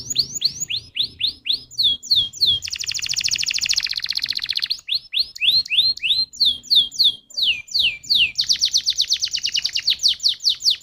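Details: Lure recording of canary song meant to set other canaries singing: quick downslurred whistles alternating with long dense buzzy rolls, continuous and loud throughout.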